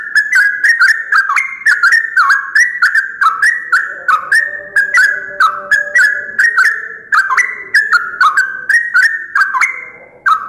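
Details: A yellow-vented bulbul at dawn, one of the first birds to call in the morning, pours out a steady run of bubbly, liquid whistled notes, several per second, rising and falling in short phrases, with sharp clicking ticks over the top.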